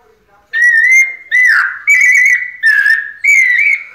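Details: After a brief quiet start, a white-necked thrush sings five sustained, sweet whistled phrases in the pianado style, each held steady and separated by short breaks.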